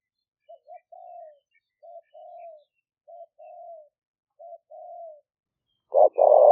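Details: Spotted dove cooing continuously, recorded live by smartphone in rainy-season rice fields near Tao Lek, Roi Et province, Thailand, as a trapping lure; soft clipped coos each followed by a longer slurred note, ending in a sudden loud double coo.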